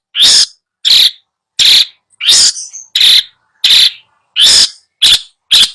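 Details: Long-tailed shrike, used to train a bird that has stopped singing, gives loud, harsh, rasping bursts, each short and hoarse, repeated about every half second to second in a steady series.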